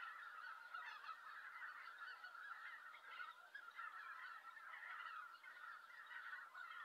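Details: Noisy Greater White-fronted Geese arriving at their roost in Japan in November, as harriers settle for the night; an unbroken wall of overlapping nasal honks from a large flock.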